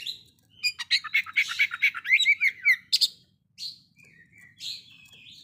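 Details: An Oriental magpie-robin sings to challenge a rival, giving a fast run of sharp chattering notes and squeaky trills, then scattered whistled phrases with short pauses between them.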